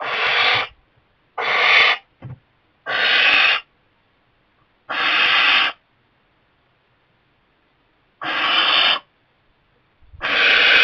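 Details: Harsh, rasping hisses from a young barn owl in a kestrel nest box, its parents repeatedly delivering mice. Six broad, noisy bursts of about half a second to a second come at irregular intervals with silence between.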